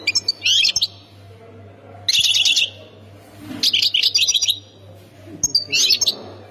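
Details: Song of a European goldfinch, Khemis Miliana sector style, Ain Defla Province, Algeria: repeated jangling twitters and buzzy trilled phrases roughly every one to two seconds, with a steady electrical-like hum below.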